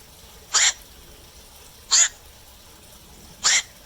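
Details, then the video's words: Nighttime black-crowned night heron uttering three hoarse, explosive squawks evenly spaced about a second and a half apart over quiet background noise. "เสียงนกแขวก นกแขวก (กลางคืน)"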